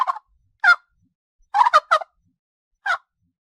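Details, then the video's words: Farm turkey gobbling: brief rattling bursts spaced irregularly, a quick cluster of three in the middle and a lone burst near the end, with silence between calls. "SOM DO PERU"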